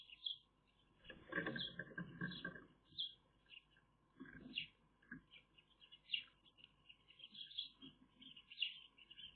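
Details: Eurasian magpie young in the nest on 30 May 2021, recorded by a nest camera. High squealing calls, often overlapping, run through the clip, with loud rustling and shuffling early on and a steady background hum.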